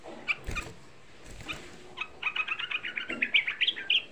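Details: Young sooty-headed bulbul, a lure recording meant to provoke other bulbuls into singing: low thumps and handling noise first, then a quick string of sharp, bright chattering notes rising to an excited burst.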